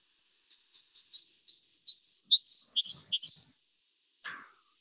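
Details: Red Crossbill flight call and song in a soft recording: a quick run of about fourteen high, clipped chirps and warbled notes over three seconds, then one brief, harsher note; its song is weaker-sounding than White-winged Crossbill's.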